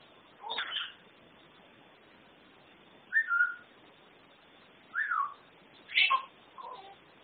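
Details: Pet African grey parrot that mimics words and sounds: a few separate whistled notes, some sliding down and some rising then falling, spaced a second or two apart over a steady low hiss.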